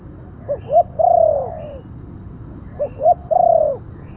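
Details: Spotted dove call used as a lure for wild birds: two clear phrases, each two short upslurred coos followed by a long, gently falling coo, separated by a pause, with a continuous faint high tone.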